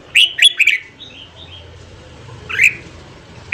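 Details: Red-whiskered bulbul singing in the morning for training wild-caught birds: a quick run of three bright warbled notes, a pause, then one more sharp whistled note and the start of another.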